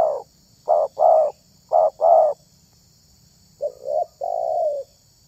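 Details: Spotted dove calling, a bird of the kind sought by hobbyists luring wild doves: low, soft coos in paired phrases, a short note then a longer one, three phrases in about five seconds, over a steady high-pitched hum.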